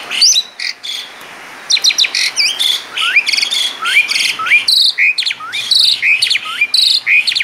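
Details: Asian pied starling in lively 'gacor' song with a 'mewah' filling: sharp clicking chatters alternate with clear upward-swooping whistles, repeated roughly every second in an energetic, varied stream.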